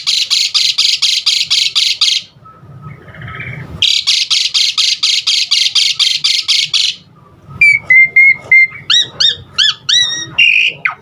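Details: Asian pied starling, heard in varied filler song meant to set other starlings singing, gives long runs of harsh buzzy bursts about four per second, then whistled notes and quick chirps.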